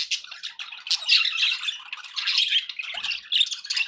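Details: Lively warbling from pet budgies, clipped squawks and chirps in quick succession, a short lull near three seconds, then a few sharp whistled notes.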